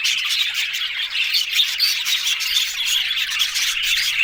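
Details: Short burst of budgie chattering: high, buzzy warbles and brief whistled chirps in a continuous jumble.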